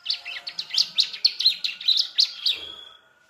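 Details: Fledgling ciblek (Sunda streaked-tit) practising its song: about a dozen sharp, high, chirping notes in a rapid, slightly uneven series, ending in a thin trailing whistle.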